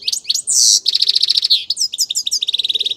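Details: Grey-crowned goldfinch singing a rapid, bright twittering song of high chirps, with a long buzzy note near the start followed by quick trilled runs of repeated notes.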